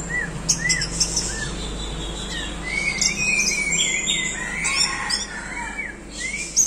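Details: Swaying 'doyong teler' Orange-headed thrush delivering rapid, varied song, with short arched whistles, dense high twittering phrases and sharp clicks in a busy, uneven stream.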